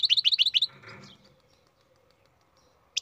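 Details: Captive-bred European goldfinch giving a quick run of about six sharp high twitters, then fading to quiet with one last chirp at the end.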